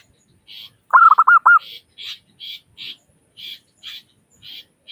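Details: Zebra dove, local type, used as a lure to make other doves call quickly: one brisk burst of five soft coos, then a string of evenly spaced high chirps from a different bird.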